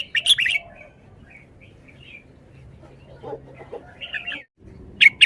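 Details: Caged red-whiskered bulbul performing its song: a loud cluster of sharp chirps at the start, soft scattered notes, then another bright chirpy burst, with low rumbling and faint knocking in the background.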